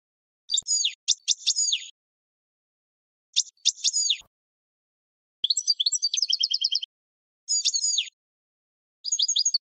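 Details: European goldfinch song used to train other birds, delivered in separate bursts of harsh, buzzy notes and fast chattering trills, with short silences in between.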